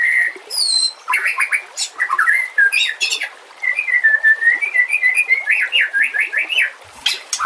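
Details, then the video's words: White-rumped shama training song with water sounds: sharp high chips and downslurred notes open, then a long wavering whistled phrase ending in rapid up-and-down trills, with trickling water steady beneath. "Masteran murai TERAMPUH yang di pakai semua burung juara"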